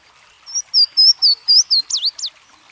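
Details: Louisiana waterthrush, a bird of brooks and streams, singing: a series of six clear, slurred whistled notes slightly falling in pitch, ending in a rapid jumbled twitter, all within about two seconds.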